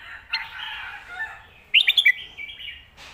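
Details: Red-whiskered bulbul song in the 'stir-fried noodle' or 'bottle-shaking' style, for training pet birds at home: soft scratchy chatter, then a clear phrase of five quick whistled notes, ending with a brief noisy rustle.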